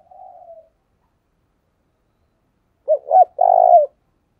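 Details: Spotted dove decoy calling to lure wild doves: a faint, short, low coo, then after a pause two quick low notes and a longer drawn-out coo, in a quiet setting.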